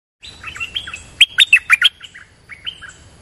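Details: Streak-eared bulbul lure recording set against a fierce resident territorial bird: quick, bubbly chirps and warbled notes, with a loud burst of sharp, repeated calls in the middle.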